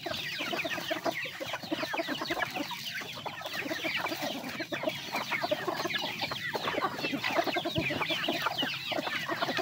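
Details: A flock of chickens feeding, a busy wash of overlapping clucks, cheeps and pecking taps that never pauses, with many short upward peeps layered over low murmuring.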